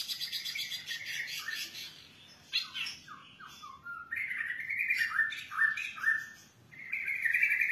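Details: Long-tailed shrike singing energetically with a rich borrowed repertoire: varied whistled and slurred phrases, some falling, some held and warbling, with brief pauses between bursts.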